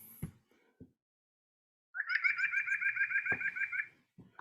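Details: Recorded white-breasted nuthatch replayed: a quick, steady run of nasal, buzzy notes rich in stacked overtones, roughly fifteen in under two seconds, sounding like a nasal chuckle, with a few thumps around it.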